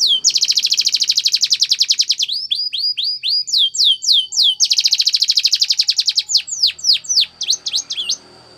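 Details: Spanish Timbrado canary training song alternating dense fast rolls of repeated notes with slower rising and falling whistled phrases, with a thin steady high tone underneath.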